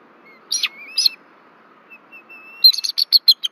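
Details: Alarmed bald eagles at a nest tree in Rome, Georgia, on February 1, 2024, reacting to an intruder overhead; two shrill notes, a thin drawn-out whistle, then a fast string of about eight piercing chips, recorded by nest camera.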